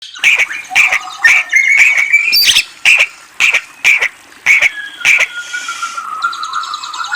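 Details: White-rumped shama song: a run of short, bright clipped notes repeated about twice a second with uneven spacing, a brief rising sweep midway, then a long, slowly falling whistle drawn out to the end.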